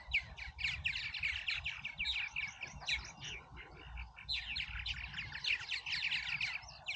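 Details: Purple martins at Oak Harbor, Ohio, busy around their colony: a dense stream of gurgling, chirping notes in the mid-high range, rising and falling chatter continuing almost without pause, with low background rumble beneath.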